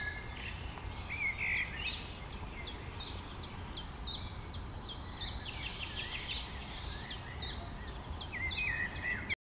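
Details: Common Swifts (Apus apus) feeding just above treetops in poor weather at lake Wylermeer near Beek-Ubbergen, the Netherlands, on June 3rd 2012, give thin, harsh, high screams in quick overlapping bursts, several birds at once over steady wind rumble.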